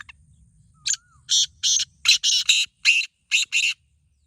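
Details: Black francolin voice, one of two birds, number 1 and number 2, set against each other in a voice contest: harsh broadband grating notes in quick uneven pairs and triplets, about nine bursts over four seconds, with a faint low hum beneath.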